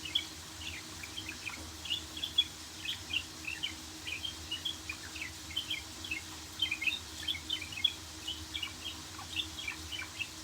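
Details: Budgerigar song as a steady stream of rapid, twittering chirps and small warbles, continuing without pause over a quiet background hum.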